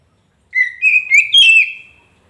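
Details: Oriental magpie-robin, kacer poci, in lure audio for a silent caged bird: a short run of rising, slurred whistles that climb step by step, then fade out.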